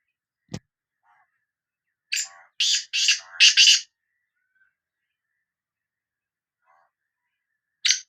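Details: Sindhi black francolin call: a sharp click, then a run of four hoarse, buzzy notes over lower chattering, and a final harsh note after a long silence.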